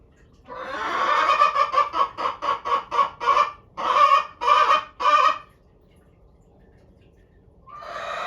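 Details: Female Araucana chickens kept as pets, calling loudly when their owner passes the coop, asking to go for a walk; a run of about a dozen harsh, rhythmic squawks, then a pause and another squawk starting at the end.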